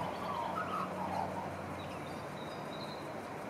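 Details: An Australian magpie singing on a balcony in East Perth: a short run of mellow, warbled notes early on, followed by a few thin, higher whistles, over a constant low hum of traffic-like noise.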